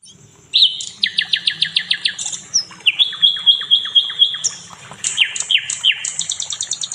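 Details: Nightingale song used as tutor recording for training other songbirds: varied high phrases of repeated sharp descending notes in quick series, some buzzy and some whistled, with a low background hum.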